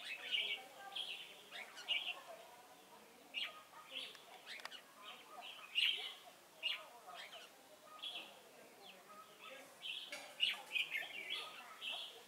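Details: Red-whiskered bulbul decoy at a trapping site at Chùa Hương, 28 November 2017, repeating brief clear chirped phrases every one to two seconds, fairly soft, with faint background twittering.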